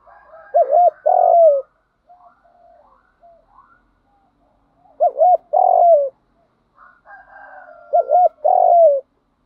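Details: Spotted dove cooing, used to train captive doves to coo: three deep double-note phrases ending in longer falling coos, separated by several seconds, with faint softer notes in the pauses.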